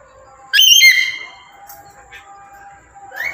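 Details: Tame, clever pet black-capped lory, described as a lively caller, gives one loud harsh call with stacked harmonic overtones and a sharp downward slide. The call lasts about half a second, followed by quiet with faint steady tonal background hum.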